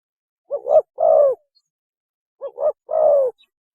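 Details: Spotted dove mating call used as a hunting lure: two paired phrases, each a short low coo followed by a longer, steady, slightly descending hoot, separated by a two-second pause.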